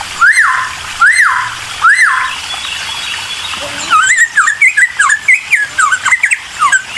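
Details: Bulbul song used as a lure to provoke responses: three strong arched whistles about one second apart, a short pause, then a fast chatter of dipping and rising whistled notes.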